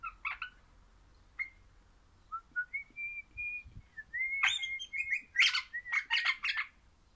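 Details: Singing crimson rosella, orange colour form: rasping notes open, then long smooth whistles that rise and fall, building into a dense cluster of loud harsh chattering bursts mixed with whistles.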